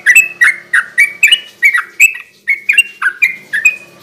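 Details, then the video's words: Lively garuda ropel singing by a sooty-headed bulbul, used at night to provoke and attract others: steady series of short, slurred chirps roughly every quarter second, each dipping and rising, with clear, sweet tone. "kicau suara burung trucukan gacor garuda ropel ini cocok buat pancingan trucuk bahan di malam hari"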